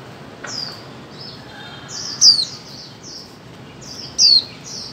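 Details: High, thin calls of a female white-eye meant to get mute birds singing: faint slurred notes between two louder, sharply descending chirps about two seconds apart.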